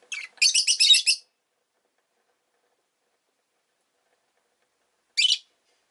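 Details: Rosy-faced lovebird chirping on a relaxed afternoon: a rapid burst of harsh, scratchy high chirps lasting about a second, then a long silence and a single short rasping chirp near the end.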